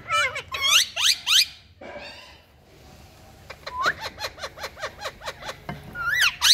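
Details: Two pet parrots in India chattering to each other indoors: rapid sharp upward-swept squeaks and whistles, a run of evenly repeated chirps about three per second, with a brief murmur between bursts.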